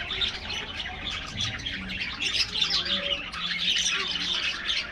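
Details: Many budgerigars in an aviary chatter together, rapid high chirps and trills running without pause, with faint low hum beneath.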